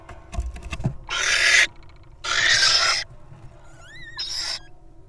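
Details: Wild little owls in a nest box: three harsh, broadband hissing bursts, each about half a second long, with a rising then falling whistled note near the end and faint clicks at the start.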